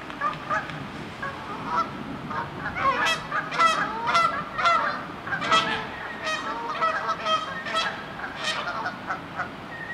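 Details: Canada geese squabbling, a dense overlapping chorus of harsh nasal honks and cackles, many birds calling at once in irregular bursts, loudest around three to six seconds, over a steady background murmur.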